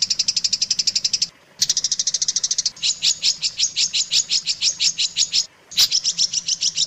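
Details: Long-tailed shrike tutor song, used to train contest shrikes: high, rapid trains of sharp chirps, abruptly cut and restarted, shifting partway into slower, fuller repeated notes; brief gaps between segments.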